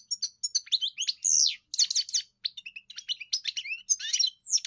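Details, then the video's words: Singing European goldfinch delivers a fast, varied twitter of sharp high chirps and slurred whistles, with one short nasal buzz early on, steady and unbroken. "Enjoy the experience of the elegant singer GOLDFINCH"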